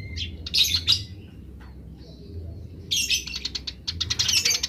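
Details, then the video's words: Wild house sparrows calling back and forth: short high chirps and a harsh chattering burst, a quiet gap with faint notes, then a long rapid series of buzzy, scratchy chirps. "suara burung gereja liar grece"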